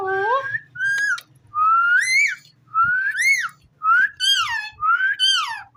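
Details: Ringneck parrot talking: about seven loud, drawn-out vocal phrases, each rising and then falling, spaced roughly a second apart over a faint low hum.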